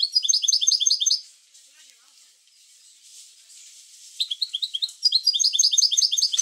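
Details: Goldfinch bitbita song aimed at stimulating goldfinches to sing: a quick, high, rhythmic trill, a three-second lull with soft rustling, then the bright repeated-note trill returns.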